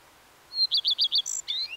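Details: Common redstart delivering a high thin opening note, four rhythmic bright chirps, a very high trill and a scratchy down-sliding ending.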